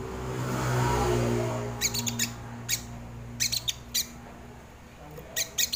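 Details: Crimson sunbird recorded as a lure and tutor sound for training birds: sharp, dry clicking chips from midway on, some single, some in quick bursts of three or four, over a low rumbling engine-like hum.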